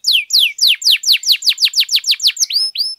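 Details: Excited canary song used to get other canaries singing: a regular series of about twelve loud downward-sliding whistles, roughly four per second, ending in two rising notes.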